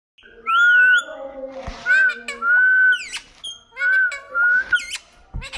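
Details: Talking parrot mimicking speech: clear, steady whistled notes repeated several times, broken by sharp rising and falling harmonic sweeps and brief squawk-like bursts, in a quiet setting.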